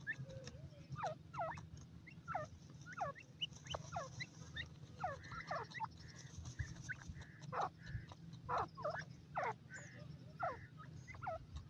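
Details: Grey francolin chicks playing in a forest: many short, sharply descending peeps, some overlapping from several chicks, come in quick irregular runs over a steady low hum.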